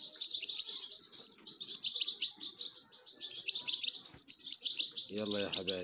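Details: Goldfinch chicks being fed, giving continuous shrill, rapid begging chirps high in pitch; near the end a short, lower, voiced sound cuts in beneath the chorus.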